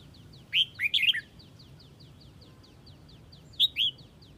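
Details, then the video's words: Huế red-whiskered bulbul calling to gather the flock, giving two clear chirpy whistled phrases of swooping notes, with a faint rapid ticking series running behind them. "Chào mào Huế gọi bầy"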